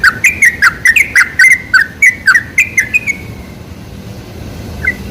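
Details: Sooty-headed bulbul song used as a lure for bulbuls: about three seconds of rapid, evenly paced chirps with short falling slurs, then near silence broken by one last faint chirp.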